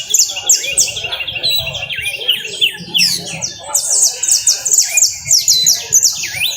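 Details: Canary song in the coastal style: a fast, high stream of repeated descending whistled trills and rolling notes, continuous throughout, over a low background hum.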